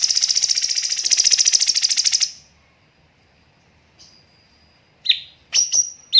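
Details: Cucak cungkok training master, tembakan song alternating pauses and rapid bursts: a long, fast, even rattling trill for about two seconds, silence, a thin whistle, then sharp falling notes and high whistles.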